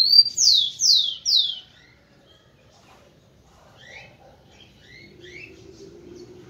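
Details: Singing male tico-tico, or rufous-collared sparrow, meant to stir up females: three loud, sharply falling whistles in quick even succession open the clip, then only soft scattered chirps and a low background murmur follow.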